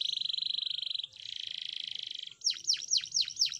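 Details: Canary training song: two long, even, buzzing rolls of rapid pulses, then a series of loud downward-swooping whistled notes about five per second.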